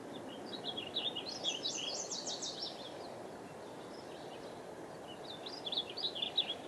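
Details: Several birds sing high, twittering phrases in two bursts over a steady rush of the Merced River in Yosemite Valley at 7 am on 6 June 2014.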